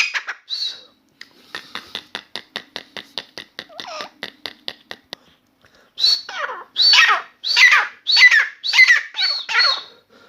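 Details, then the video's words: Grey francolin, known locally as Dakhni Teetar, a newly acquired bird kept indoors in a room, calling continuously. A run of quick soft clicks comes first, followed by loud, harsh, repeated notes in a rhythmic series. "Grey francolin Dakhni Teetar song"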